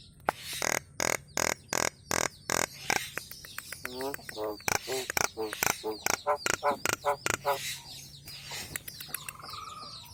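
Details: Nias hill myna vocalizing for cage-bird training. A loud run of harsh, broadband barking notes repeats about twice per second, then comes a section of buzzy harmonic calls and a final drawn-out whistle over faint background chirping.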